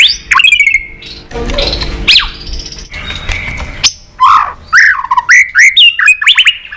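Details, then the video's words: A White-rumped shama, tail-flicking to provoke a rival, sings a fighting song. After a noisy, rustling start, clear downward-slurred whistles and quick repeated notes follow about twice a second. "chòe Lửa đập đuôi tạch kích căng, kích Chòe Lửa hót đấu căng lửa.chòe Lửa hót giọng dài"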